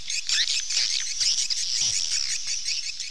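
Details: Dense, shrill twittering of many swallows, high thin chirps blending into a steady buzzing chorus without clear breaks.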